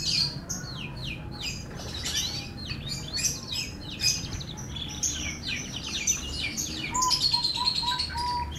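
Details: F1 canary in melodious song, fast sweeping notes and rattling trills strung into a steady flow, ending in a series of short, even, lower whistled pips, over faint background noise.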